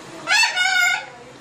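A macaw gives one drawn-out, nasal "hiii" lasting under a second. It is voice-like and rich in overtones, steady then fading, with faint room noise behind.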